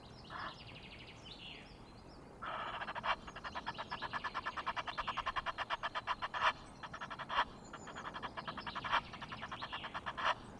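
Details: Noisy Egyptian geese on a Loch of the Lowes webcam in Scotland, 5 March: after faint bird calls, a fast train of harsh, rhythmic honks starts and runs on steadily, with brief louder peaks.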